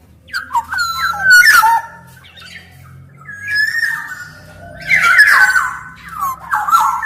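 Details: Black-naped oriole singing busily: stepped fluty whistles and quick slurred notes, then a long gliding whistle and a harsh, buzzy outburst near five seconds, with faint low droning below.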